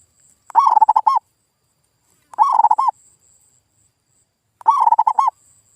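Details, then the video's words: Lure call of a local zebra dove (perkutut), used to provoke a non-singing bird to answer: three rhythmic coo phrases about two seconds apart, each several quick throaty pulses and a final drawn-out rolling note. "SUARA PIKAT PERKUTUT GACOR"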